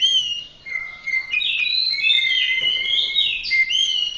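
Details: Orange-headed thrush singing a fluid, continuous warble of sliding whistles, rising and falling smoothly over a sustained tone.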